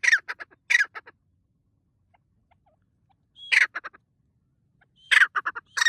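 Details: White partridge calling loudly in a forest at sunrise: harsh, rasping bursts, each opening with a loud grating note and trailing into a stutter of shorter clipped notes, three phrases separated by silent pauses.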